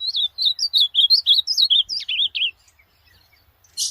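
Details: Pet-training recording of an ultramarine grosbeak singing: about a dozen quick, clear, wavy whistled notes at a steady pace, closing with lower slurred notes, then a short pause and one harsh chirp.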